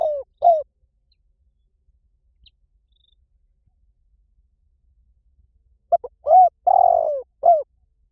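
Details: Spotted dove call used to lure birds: low mellow cooing notes, a pair at the start, then after a long silence a grouped phrase of short coos and one drawn-out coo.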